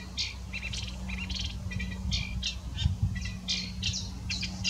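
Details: Eurasian reed warbler singing at Zellsee, Weilheim district, Germany: a steady, jerky chatter of harsh, scratchy notes, each phrase repeated two or three times, over a low constant hum.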